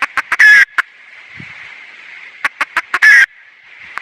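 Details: Red junglefowl hen giving quick sharp clucks that run into a brief loud, rasping squawk. The sequence repeats after about two and a half seconds over a continuous thin high-pitched background drone.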